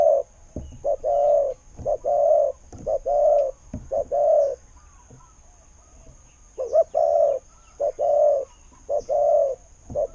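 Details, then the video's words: Thai decoy spotted dove with a fine voice giving steady series of mellow coos, each a quick double note followed by a longer drawn-out hoot, about one phrase per second, then a pause and more. "เสียงนกเขาใหญ่ เจ้า 800 คูอ่าง เสียงดี ต่อเข้าหมาน"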